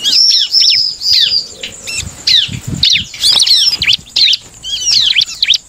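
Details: Bar-winged prinia singing to provoke other prinias to answer: loud bursts of high, downslurred chipping notes in quick clusters, separated by short gaps, with occasional low knocks.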